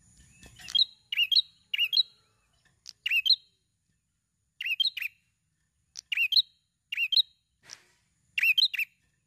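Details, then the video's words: A prinia in full song, in a recording used to provoke other prinias into singing, gives quick, high, chattering bursts of two or three sharp notes in tight runs with short pauses; no other sounds. "Burung Prenjak Gacor Bunyi Rapat"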